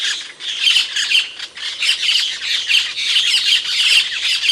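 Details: Loud, continuous harsh chattering from Asian glossy starling, an Indonesian songbird with a sharp voice; grating squawks overlap densely with barely any pause throughout.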